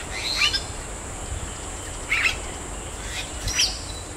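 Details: Wild Bali myna in forest on Bali, Indonesia: three separate harsh, squeaky chirp bursts roughly every one and a half seconds, each short and bright, over constant high-pitched insect-like hiss.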